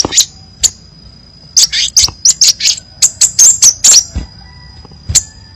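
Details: Crimson sunbird song with many variations for tutoring: a few scattered high chirps, then a rapid burst of sharp, buzzy notes around two seconds long, then one last chirp.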